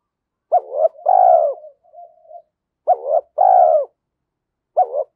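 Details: Spotted dove kept as a decoy, giving low mellow coos: a clipped two-part opening then a drawn-out falling note, repeated about every two seconds, with soft murmuring between phrases.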